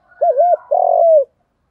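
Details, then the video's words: Captive spotted dove used as a lure for males at dawn, uttering a doubled wavering coo and then one drawn-out, rough coo that tapers downward, mellow and low-pitched. "Chim cu gay moi gay goi buoi sang/ tiếng chim cu gáy kích bổi hiệu quả, cu gáy, cu cườm gáy gọi"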